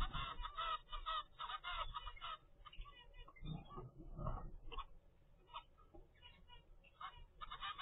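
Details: Baby zebra finch, 25 days old, raised in captivity by its parents. A rapid run of nasal, trumpet-like begging notes fills the first two seconds, then sparser short calls follow amid low household rumble.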